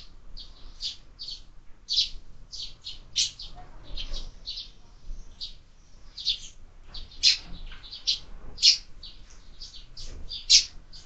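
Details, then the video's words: Sparrows feeding at a window-mounted feeder where birds are fed through the year; overlapping short chirps, some loud and nearby, others distant, with faint rustling and tapping underneath. "Воробьи в кормушке"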